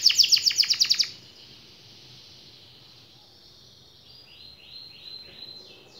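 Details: Canary in full 'gacor' song, used as master song to make quiet, lazy canaries answer and roll: a one-second burst of rapid, high, repeated chirps, then a faint sustained high tone and soft sliding notes.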